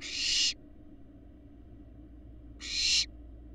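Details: On a live nest cam in Florida, barn owl fledglings from eggs laid in January 2022 give two strong, rough hissing screeches about two and a half seconds apart, each half a second long and swelling before a sudden end.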